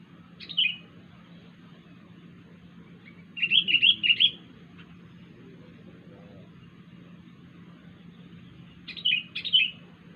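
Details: Strange call of a wild sooty-headed bulbul: a single sharp descending whistle, a rapid burst of four warbled notes, long quiet gap, then two more sharp falling whistles; faint steady hum throughout.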